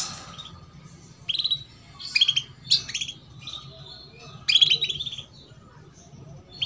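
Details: Female canary giving 'cuit cuit' chirps, used as a lure to get young canaries singing sooner: short bright chirps and rapid trilled notes in scattered bursts a second or so apart, over a low steady hum.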